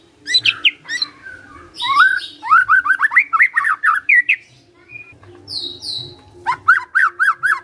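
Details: Magpie-robin singing gacor, used to draw a reply: varied rich whistles and quick repeated slurred notes, then high thin calls and a final burst of rapid notes.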